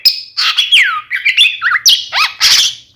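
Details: Oriental magpie-robin (kacer), a twin lure song said to make opposing birds agitated and answer back: loud, slurred, swooping whistles and harsh squeaky notes packed tightly over a few seconds.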